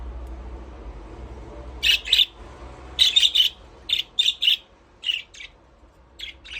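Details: After a quiet start, budgerigars in their aviary break into repeated bursts of rasping chirps, mostly in pairs and triplets, continuing to the end.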